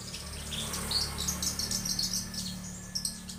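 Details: Young Javan bush lark: a busy run of high, thin, twittering notes and short trills, with a steady low hum underneath.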